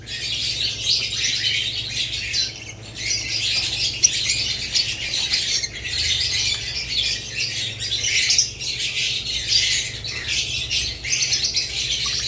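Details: Budgerigars chirping at length, a steady wash of overlapping high squeaks, chirrups and warbles that rises and falls in loudness, over a low continuous hum.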